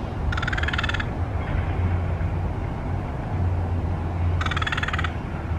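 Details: A crow eating and making an unusual call gives two harsh, raspy calls about four seconds apart, each lasting under a second, over a steady low rumble of traffic.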